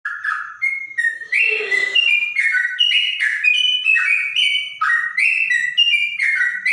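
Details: Trotok bird singing with a clear voice said to resemble a straw-headed bulbul: a fast run of pure whistled notes stepping up and down in pitch, about two notes per second, with a faint low rustle midway.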